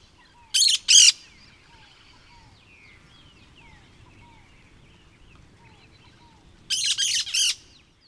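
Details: Harsh squawks from a cactus parakeet: a pair at the start and a rapid triple burst near the end, with quiet chirps and thin whistles from other birds in between.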